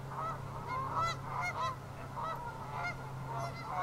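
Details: A group of Ross's geese give a chorus of short, high, squeaky honks, overlapping and irregular, with a steady low hum underneath; Ross's goose.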